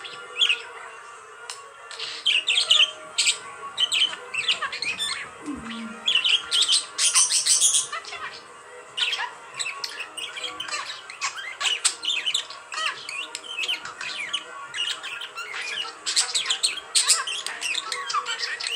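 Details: A pet budgerigar talking at a phone chatters in a fast, scratchy warble of squeaks, clicks and high chirps.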